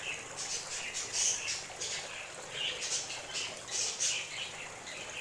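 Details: Several birds chirping in a relaxing outdoor scene: bright high twittering notes repeated in quick irregular bursts, some squeakier peaks, over constant low hiss.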